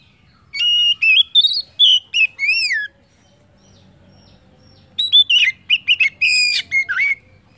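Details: Oriental magpie-robin (kacer) song, used as a lure to stimulate other birds to sing: two bursts of loud, varied whistled notes, some rising and some arched or falling, separated by about two seconds of quiet.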